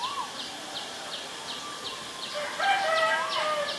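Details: Asian barred owlet giving a rich, wavering, bubbling burst near the end, after a stretch of rhythmic high-pitched chirps ticking along about three or four times a second.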